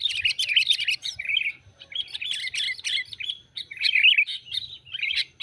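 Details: Dense, bubbly chattering of a Sooty-headed Bulbul, a lure call for bird trapping, in near-continuous clustered bursts of high, sharp chirps with short breaks; low hum faintly beneath.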